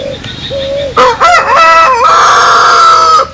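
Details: Rooster, from a compilation of crowing Vietnamese and American Sil cocks, gives one loud crow: stuttered rising opening notes, then a long sustained harmonic note held over a second before dropping off.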